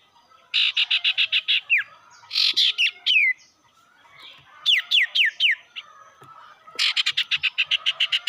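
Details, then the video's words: Lure song of a sirtu meant to anger rival birds, cipou brondol style: long runs of rapid buzzy pulses, about four per second, alternate with bright falling whistled notes in short series. "pancingan burung sirtu bikin emosi lawan//cipou brondol"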